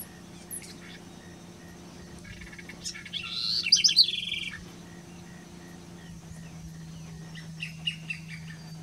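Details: House wren singing at Colonia Carlos Pellegrini in the Esteros del Iberá wetlands, Corrientes, Argentina, October 2016: one rapid bubbling, jumbled burst of high chattering notes lasting about a second and a half, set against a steady low hum and scattered faint chirps.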